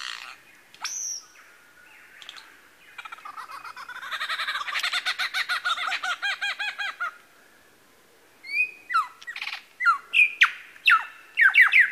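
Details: Male lyrebird copying other birds at Masons Falls in Kinglake National Park: an opening whistled upslur, a long run of fast, evenly repeated harsh notes, then a string of sharp downslurred chips.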